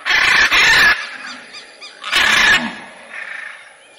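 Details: Macaw calling with a doubled harsh screech, a pause, another loud rasp, then a fainter trailing squawk.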